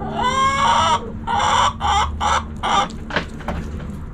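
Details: Backyard chickens, hens and roosters, with one bird giving a drawn-out nasal call followed by a run of four loud, evenly spaced clucks, then softer scattered sounds.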